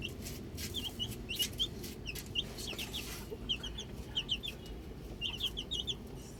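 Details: Young chicks outside, bright high peeps in short clusters separated by brief pauses, a few sharp clicks, over low steady background noise.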